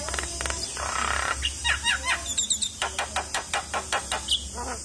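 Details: Morning black-winged starling song meant to rouse a reluctant caged bird into singing, with a series of sharp repeated whistled and chattering notes roughly every third of a second over a constant high hiss.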